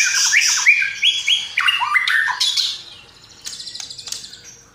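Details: White-rumped shama, locally murai batu, in full gacor song for a masteran recording, its song filled with imitations of sparrow, lovebird and kapas tembak: loud slurred whistles stepping down, then quieter high scratchy chatter.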